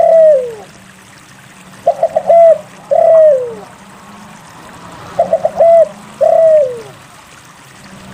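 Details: Spotted dove singing steadily, used to stimulate other doves to sing. A long sliding coo opens, then two phrases follow, each three quick choppy notes and a drawn-out descending coo. A faint low hum runs underneath.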